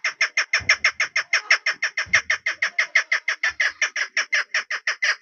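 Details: Female chukar, a decoy partridge used by hunters, repeating rapid, harsh chuck notes in an unbroken rhythmic chain, with a couple of low thumps in the background.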